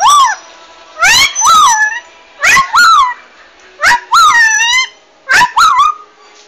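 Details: A rice-field bird gives a two-part nasal call, a clipped note then a rising-falling drawn note, repeated four times about every 1.4 seconds, sounding like a muttered curse ("asu ya").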